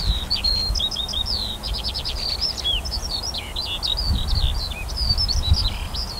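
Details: Eurasian skylark singing above a barley field in summer, on 28 June 2018: an unbroken, fast stream of varied high chirps, short trills and slurred whistles with no pauses, over a low rumble of wind.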